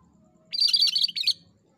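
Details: A single brisk, rattling phrase of high twittered notes from the cucak kerinci (cream-striped bulbul) in gacor form, recorded as masteran material; the burst lasts under a second over a quiet background.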